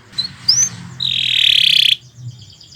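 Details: Canary singing in long, continuous song: two short rising whistles, then a one-second loud buzzy rattling trill at high pitch, ending abruptly; a low hum in the background.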